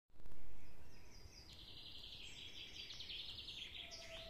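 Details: Common nightingales singing in a forest in summer 2022: a fast run of repeated high, rattling notes lasting about two and a half seconds, over a strong, steady low rumble.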